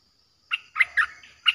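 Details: Streak-eared bulbul with a fierce-sounding song used as playback to lure aggressive wild birds: a few separate chunky, chattering notes in short bursts after a brief silence, with a faint low hum underneath.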